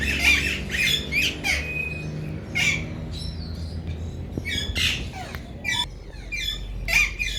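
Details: Male Alexandrine parakeet, one of a breeder pair kept as talking parrots, giving loud, harsh, grating squawks in short bursts about every second or two over a low steady hum.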